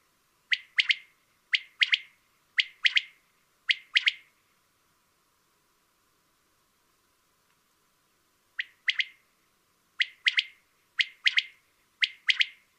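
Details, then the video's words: Common quail (Coturnix coturnix) song: a sharp, liquid three-note 'wet-my-lips' phrase repeated about once a second, with one pause of several seconds; no other sounds. "song of the quail (canto del quaglio)"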